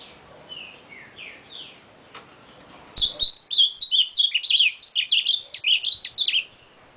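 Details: Ultramarine grosbeak (Cyanoloxia brissonii) singing: a few soft, slurred notes, then a loud, fast run of bright, warbled phrases lasting about three and a half seconds.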